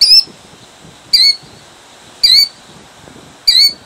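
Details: Killdeer guarding her eggs, Jackson, New Jersey, 2008: four clear, piercing, falling cries at a steady pace of about one per second, with little else heard.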